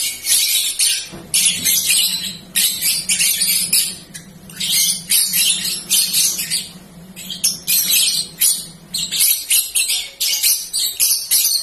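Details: Young ringed balibu in training sings a rambling song in dense, very high bursts of rapid twitters and trills, with short pauses between phrases. A low steady hum runs underneath for most of the recording.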